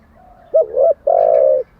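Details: A single cooing phrase from a spotted dove kept as a training decoy: a soft lead-in note, a quick double hoot, then one long, steady, low coo.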